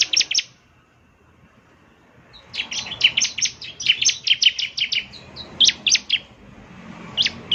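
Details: Caged-bird lure of bar-winged prinia song. A short chirp pair, a pause of almost two seconds, then a long run of sharp high notes with a few clear whistled accents over faint background hiss.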